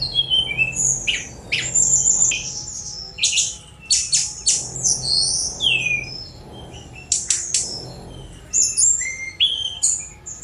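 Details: Song of a Sunda robin, a lively run of thin whistled slides, clipped chips and harsh buzzy strokes delivered in bursts separated by short gaps, with a faint low hum underneath.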